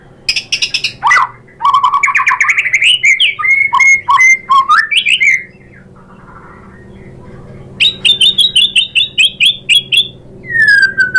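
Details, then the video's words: White-rumped shama song used to provoke other birds into singing: loud varied phrases of rising whistles and rapid clicking notes, a short pause, then a fast string of sharp repeated chips. "PANCINGAN MURAI BATU bikin NYAUT BUNYI GACOR NGEPLONG BONGKAR ISIAN"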